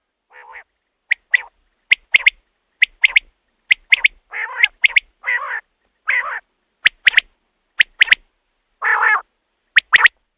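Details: Common quail calling, a recording used at night as a hunting lure: sharp high three-note phrases repeated about once a second, mixed with short harsh, buzzy nasal bursts. No background noise.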